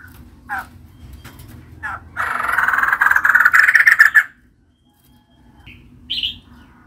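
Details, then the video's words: A female white-crested laughingthrush gives a few short, quiet calls, then a two-second burst of loud, rapid, grating chatter, followed by two brief higher notes. "Poksay jambul putih betina gacor"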